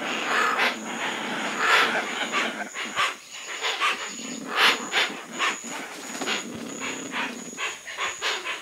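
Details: Hoatzins (Opisthocomus hoazin), birds of Amazon and Orinoco basin swamps, give harsh, wheezy, hissing calls in ragged bursts about every second, several voices overlapping, over a faint steady high hum.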